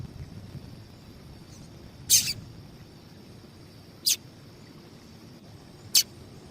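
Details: Call of a female double-collared seedeater, used to prompt males to sing: three brief, high, thin chirps spaced roughly two seconds apart against a quiet, hissy background.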